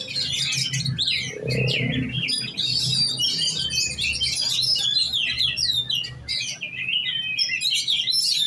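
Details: Giras oriental magpie-robin singing a competition-set song in the 'kejar on ngunci' style, a continuous rush of sharp whistles, trills and chirps mixed together, over a low hum and a brief lower sound near the start.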